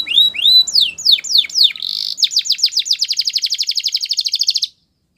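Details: Song of a Russian canary, opening with rising whistled slurs and falling swoops, then settling into a long, quickening run of sharp repeated notes that stops abruptly.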